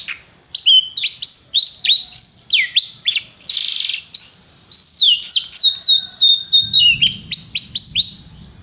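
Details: Canary song of varied whistled notes, rising and falling slurs, brief buzzy burst and short rolls, delivered in quick phrases with tiny gaps; played so a listening canary answers in song.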